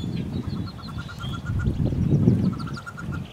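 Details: Nest box holding wood duck nestlings and a hooded merganser chick, 2013 nesting season; soft peeps repeated rapidly, partly masked by strong low rumbling movement.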